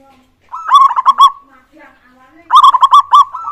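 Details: Local zebra dove song, used to prompt other doves to sing. Two bursts of rapid, staccato, bubbling coo notes, each lasting about a second, with a short pause between them.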